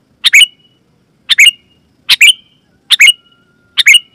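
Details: Bright, loud call of a sooty-headed bulbul, used as a tutor and lure so other bulbuls respond; five quick chirp pairs with a trailing thin whistle, about one each second, clean background.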